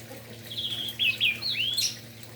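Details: Orange-headed thrush singing vigorously in the morning, song used to stir other orange-headed thrushes, including young spotted birds, into singing; varied high whistled phrases with swooping slurred notes and quick twitters, over a steady low hum.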